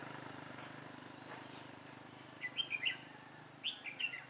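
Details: Red-whiskered bulbul of the dark-bib type, fighting song during trapping with a caged decoy bird, 21 October 2017; after two quiet seconds, two short bursts of bright warbled, slurred notes arrive about a second apart over a low steady hum.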